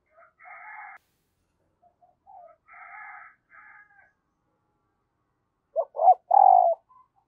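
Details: Decoy spotted dove calling wild newcomers with thúc and gáy cooing. Soft buzzy, raspy sounds open the recording, then one strong coo phrase: two quick notes, a long vibrating coo and a falling close.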